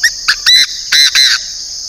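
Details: Northern Vietnamese decoy Chinese francolin delivering a strident call of five notes, starting with two brief notes and ending with three longer harsh syllables. A steady high buzzing drone sits beneath.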